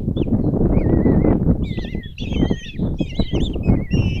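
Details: Five common kestrel nestlings being fed breakfast by the female in a Hungarian nest box, Tiszalök, June 26, 2024: drawn-out wavering squeals and higher trilled cries overlapping, about three or four a second, over rumbling nest noise.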